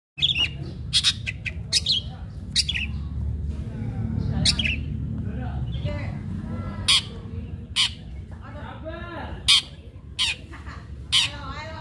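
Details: Long-tailed shrike in full, aggressive 'fighting' song used as a lure to provoke other shrikes into singing: harsh, scratchy bursts repeated irregularly, interleaved with quieter chattering notes over a steady low hum.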